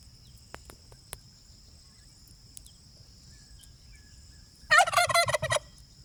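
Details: Foraging free-range domestic turkey on an off-grid homestead lets out one loud, rapid, rattling gobble near the end after quiet seconds of faint clicks and a continuous high-pitched insect drone.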